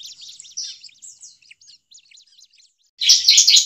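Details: Bar-winged prinia giving an agitated, noisy call used as a lure for trapping prinias in forest: quick scattered high chirps, then a sudden loud burst of harsh chattering notes.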